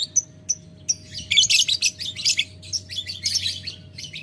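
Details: Lovebird calling a rival, ngetik ngekek style: several separate sharp ticking chirps, then a fast, harsh, high chattering burst that continues in uneven pulses.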